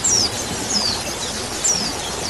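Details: Male and female white-eyes in a colony, a therapy recording meant to start birds singing: three sharp, very high whistled notes sliding downward, well spaced, over a constant hiss.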